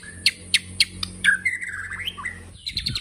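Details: White-rumped shama, murai batu, giving tembakan-style song: three sharp clicking notes about a quarter-second apart, then a wavering, slurred whistled phrase that dips and rises, ending in quick high chips; a steady high hiss runs throughout.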